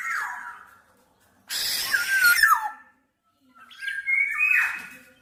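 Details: Black-naped oriole mixing a harsh, grating squawk with liquid whistled slurs. Two loud phrases are separated by a brief pause.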